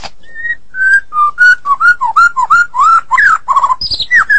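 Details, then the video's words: Medan-type White-rumped shama in full, active song, delivering a fast series of varied, rich whistles that bend up and down at mid pitch, one after another with brief gaps, ending on a higher sharp note. "Murai Batu Medan Super Gacor"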